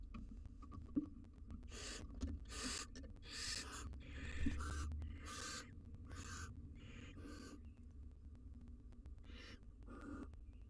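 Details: Wild barn owl at a monitored nest box, a mother forcing her fledgling out of the nest: a series of harsh, hissing screeches, roughly one every second, over a low steady hum.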